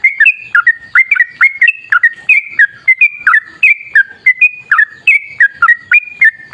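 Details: Long rapid-fire song of a sooty-headed bulbul in wild forest style, played to get bulbuls singing: dense, lively sequence of clipped, whistled, bubbling notes, roughly three per second, with no other sounds.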